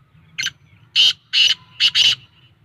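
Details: Black francolin giving a loud, rasping call: a short opening note followed by four harsh grating bursts, the final pair close together, with a steady low hum behind.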